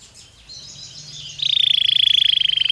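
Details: Belgian canary singing naturally, starting with faint high warbling, then breaking into a loud, fast, even trill of rapid pulses on one steady pitch that continues to the end.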